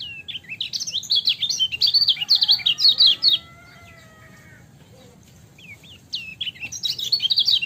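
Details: Lemon-bellied white-eye, called kecial kuning, pouring out rapid high twittering song in two phrases, with a quiet pause between them and faint thin whistles from other birds in the background.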